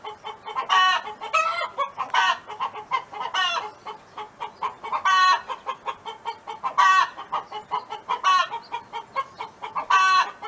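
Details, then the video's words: Neighbor's hen on a farm singing: steady clucks near every quarter second punctuated by louder, drawn-out harmonic squawks about every one to two seconds, several overlapping birds. "Chicken Hen Sound Effect [Audio]"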